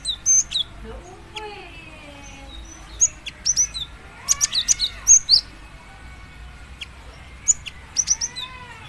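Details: Female cinereous tit calling to a male: clusters of very high, sharp chips and quick down-slurred notes in irregular bursts, with fainter lower whistles and arcing notes in the background.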